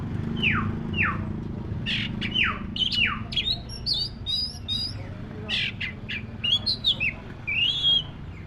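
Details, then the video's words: Oriental magpie-robin of the black-breasted form singing: four clear downward-sliding whistles about every 0.7 seconds, then a quick jumble of high chirps, short slurred whistles and harsh notes, over a steady low hum. "SUARA BURUNG KACER (DADA HITAM)"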